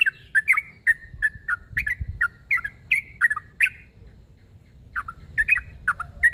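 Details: Calling a rival, a sooty-headed bulbul delivers a run of quick chirps for nearly four seconds, falls briefly silent, then resumes the chirped series over faint low rumbling.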